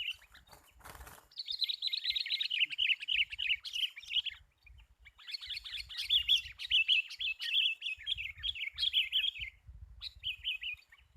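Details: Sooty-headed bulbul lure call for bird trapping: long, sustained streams of quick, slightly descending twittered notes, nearly unbroken for several seconds, over faint low rumble.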